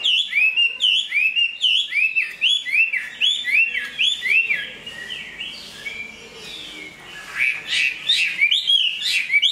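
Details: Large Chinese hwamei, a strong songster and fighter, completing its moult. A string of looping downslurred whistles repeats for about five seconds, pauses briefly, then bursts into louder, busier phrases.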